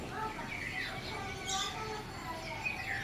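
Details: Wild house sparrows on a pleasant early morning in the countryside, flying to and from the nest, give a busy chorus of short bright chirps overlapping without pause in a constant chattering tangle.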